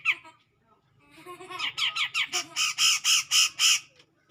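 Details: Challenging song of a grey-cheeked bulbul toward a rival: a short rasp, a pause, then a building series of harsh buzzy notes growing louder, about four per second.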